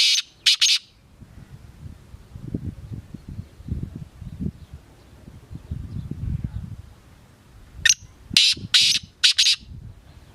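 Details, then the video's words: Black francolin call, one harsh high burst early, then after low rustling and thumping a full phrase: a rising opening note followed by three or four loud, grating, scratchy bursts. "Black francolins"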